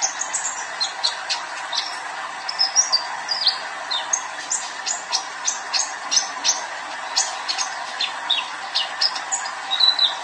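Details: Young male sunbird in sustained vigorous song: a continuous stream of very high, sharp ticks, squeaky slurred whistles and twitters over a constant low mechanical hum.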